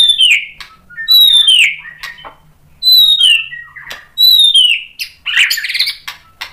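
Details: Male-style contest song of a white-rumped shama, stirred up by a rival fighter bird and unloading its varied learned phrases. Loud high whistles sweep downward, repeated about once a second, with short chips between them and a harsh burst at the end.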